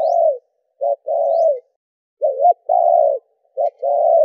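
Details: Cooing of a spotted dove, 'đảo nước thúc gù' style, aimed at stimulating captive doves. Long, even coos alternate with brief clipped notes in an uneven rhythm, on a clean, quiet background.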